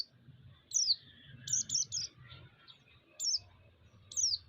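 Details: Song of a white-eye, used to provoke rival white-eyes and raise their agitation: very high, thin, downward-slurred whistles, some in a quick triple burst, over a low steady rumble.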